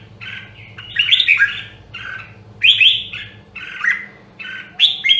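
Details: Red-whiskered bulbul, rare Nam Đông Huế voice line, singing for voice training: mellow whistled notes alternating with louder jumbled, squeaky phrases, several bursts over five seconds above a faint low hum.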